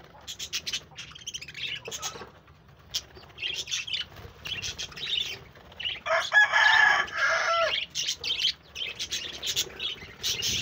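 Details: Pet budgerigars recorded on 1 June 2024 chatter in quick, irregular high chirps about twice a second, with a burst of harsh rushing noise in the middle of the passage.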